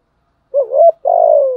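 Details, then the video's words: Decoy spotted dove giving a two-part 'giọng thổ' coo: a quavering lead-in note, then a held, buzzy-edged coo that drifts downward, with silence around it. "tieng chim cu gay thuc gu/ cu mồi giọng gáy bài bản, cu gáy giọng thổ"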